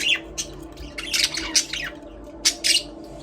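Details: Budgerigars, Australian parrots, singing and playing in an aviary: bursts of sharp, high chirps and scratchy warbles in short clusters, with quiet gaps and a faint low hum underneath.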